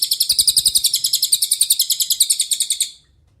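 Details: Master song of a cililin, played to make songbirds like Murai Batu and Kacer sing. One long, unbroken trill of high, crisp pulses repeated rapidly for about three seconds, ending abruptly into silence.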